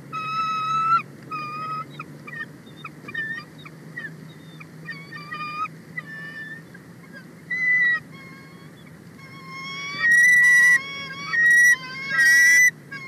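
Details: A female bald eagle sitting on the nest, excited by a sub-adult eagle flying very close, 31 March 2024: rapid series of thin, piping chirps, softer at first, building to loud, high, ringing bursts near the end.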